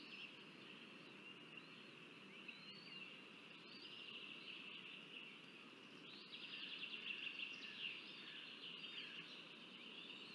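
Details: Northern goshawk (Accipiter gentilis) chicks in Riga, Latvia, on 17 May 2024 beg as the female feeds them: thin, high, upslurred chips and squeals thickening into a rapid run of calls over steady rushing background noise.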